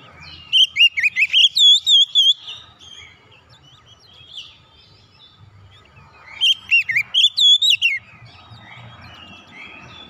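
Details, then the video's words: Oriental magpie-robin song, intended to get a silent bird singing again. A two-second run of rapid, warbled whistles, a quiet gap with soft low noise, then the same phrase again. "KICAUN MENGATASI KACER MACET BUNYI KEMBALI GACOR"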